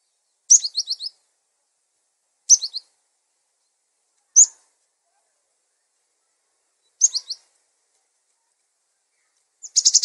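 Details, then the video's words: Cinereous tit giving its full song: short, high, sharp phrases about every two seconds, each a bright note followed by a quick run of repeated chips, with silence between. "Suara gelatik batu full isian"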